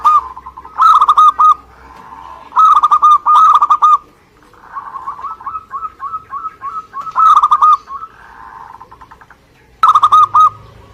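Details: Zebra dove of a local Indonesian strain singing busily, loud stuttering coo phrases repeated in quick succession, with softer rippling coos from another dove filling the gaps.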